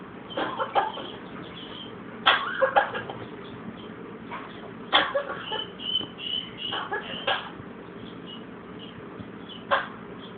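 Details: Blue-and-gold macaw that has a cold, mimicking a cough: short, harsh, noisy bursts in irregular clusters, several loud ones spaced a second or two apart, over a low steady room hum.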